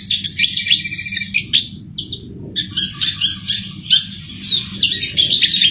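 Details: Vigorous gacor song of a sikatan jawa flycatcher, played as a lure for bird trapping: dense bursts of high chirps and twittering trills with brief pauses, over a low steady hum.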